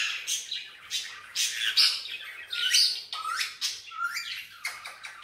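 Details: A green Indian ringneck parakeet that talks and whistles in Urdu/Hindi produces rapid, varied chatter of short scratchy notes mixed with brief whistled slides, some rising and some falling, in an uneven stream.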